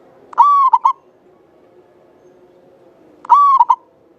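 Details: Zebra dove from Java singing actively, a long clear-voiced bird kept as a lure for other doves; two phrases, each a drawn-out mellow coo dipping at its end into two quick short notes, separated by quiet with faint background hum.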